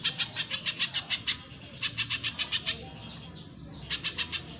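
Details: Spiderhunter (pijantung pisang) in full song on a training recording for cage birds: sharp, buzzy chip notes repeated quickly in steady runs, with a short pause midway before the chipping resumes.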